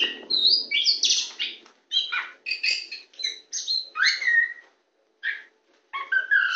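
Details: Oriental magpie-robin of the kacer poci type, very tame and singing on a hand, delivers a long varied medley of whistles, downslurred notes and buzzy chatter, pausing briefly twice before resuming with bright whistled phrases.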